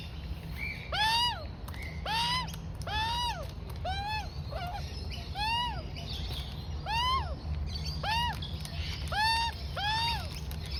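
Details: Juvenile Australian magpie of about 4-5 months, fed rolled oats and wombaroo by its mother, repeats harsh arched harmonic begging squawks roughly once a second, rising then falling, over a low hum.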